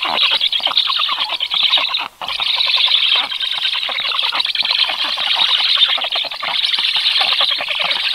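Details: Black stork chicks begging during a 14-second feeding visit by the adult Karl, 21 July at 18:36: a steady, wheezy hissing chorus of fast rasping pulses, barely pausing for about eight seconds, with a brief break near the second mark.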